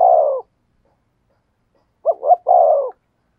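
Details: Spotted dove singing in the "thổ sấm" voice. A long falling croo ends one phrase, and after a pause comes another full phrase of two quick coos and a sustained croon.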